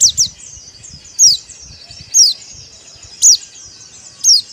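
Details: Dakbal song of a white-eye (pleci): a quick pair of piercing downslurred whistles, then single clear falling notes roughly once per second, against a quiet background.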